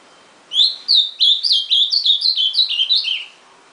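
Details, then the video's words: Singing ultramarine grosbeak: two sharp opening notes, then a fast, rambling chain of about ten slurred whistles that gradually drift lower before the phrase stops. "AZULÃO CANTANDO"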